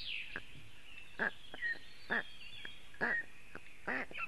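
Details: Black stork chicks calling for cooling at a webcam nest in Latvia, 2 June 2018, a very hot day: about five short, hoarse, harmonic calls spaced roughly a second apart, with a thin birdsong trill behind.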